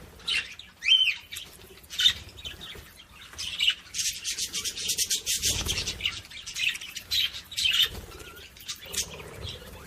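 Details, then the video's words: Budgerigar chatter used to stimulate other budgies: quick, buzzy, scratchy notes with a few clearer whistled chirps, running almost continuously, with a soft low rumble in the background. "صوت بادجي لتحفيز طيور البادجي العاشق والمعشوق"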